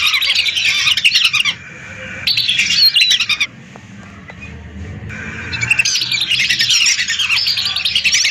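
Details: Hundreds of lesser whistling ducks used as a lure call in bursts of dense, high whistling chatter, broken by two quieter gaps where only a low background murmur remains.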